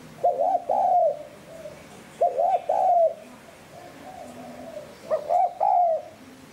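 Spotted dove giving three soft, low cooing phrases of about three notes each, repeated every two to three seconds over a faint background hum.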